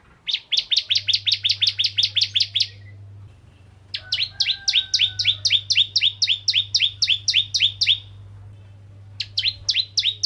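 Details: Bar-winged prinia (ciblek kristal) giving a bright song meant to draw other prinias into singing; quick strings of sharp, high chipping notes come in three bursts, the middle one longest, with low background hum.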